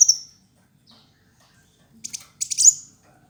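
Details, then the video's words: Kolibri wulung sunbird, a fighter-type bird singing actively, used as a master tutor for other birds: a sharp high chirp at the start, then after a pause two bursts of rapid, buzzy, very high trilled notes. "Kicau Burung Masteran Kolibri Wulung ayah Gacor"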